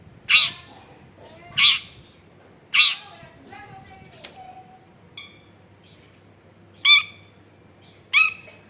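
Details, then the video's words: Cendet, the long-tailed shrike, used as a lure to provoke singing in lazy shrikes, recorded in a densely populated area: three grating squawks about a second apart, softer scratchy notes, then two more harsh squawks. "SUARA BURUNG CENDET GACOR PANCINGAN CENDET MALES BUNYI"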